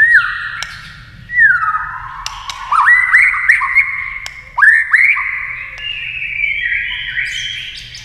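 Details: White-rumped shama singing, flicking its tail, in a competition with a TV: clear whistled notes with fast down-slurred and up-swept phrases, broken by sharp clicks, the song rising step by step toward the end.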